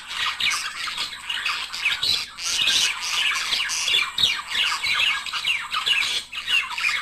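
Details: Budgerigar pair chattering to stimulate mating and singing: a dense, continuous stream of scratchy warbles, squeaks and chirps with quick rising and falling notes, no pauses.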